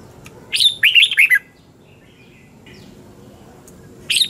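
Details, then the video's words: Red-whiskered bulbul with a 'double-twist' voice singing its morning song, 2020, offered for training other bulbuls: a fast, lilting five-note phrase sliding downward, a soft distant chirp, then the next phrase beginning. "Luyện chào mào hót sáng 2020 chào mào giọng xoắn kép Quá hay, luyện chào mào hót"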